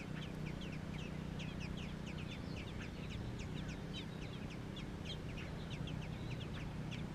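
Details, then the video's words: American robin nestlings in Georgia chirp busily, a dense overlapping stream of short high notes from several young birds over a constant low droning hum. "Baby robins"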